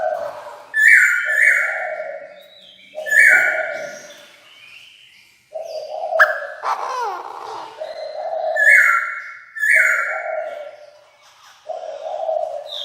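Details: A calling decoy Chinese francolin summons the flock in repeated loud, harsh phrases of quick stacked notes, roughly every two to three seconds. Lower droning notes run between the phrases.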